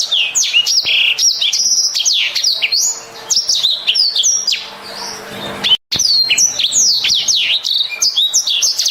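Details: Black-throated canary singing a lively, loud song: rapid sweeping whistles and trills, mostly high-pitched, with rising and falling slurred notes, a brief break near the end before the phrases resume.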